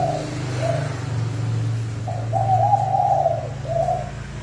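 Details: Spotted dove decoy calling very fast to lure wild doves: two short coos, a pause, then a longer rolling phrase of three joined coos ending in a separate note, over a droning low hum.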